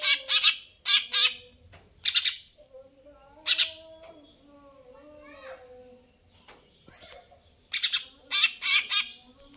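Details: Greater green leafbird singing persistently: harsh, buzzy double and triple bursts repeated every second or so, with thin sliding whistles in a quieter middle stretch, then a dense cluster of loud chattering notes.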